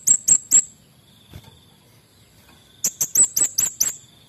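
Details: Male orange-headed thrush singing actively: two bursts of sharp, high chipping notes, three quick notes followed by a run of about seven, separated by a quiet pause with a faint steady insect hum behind.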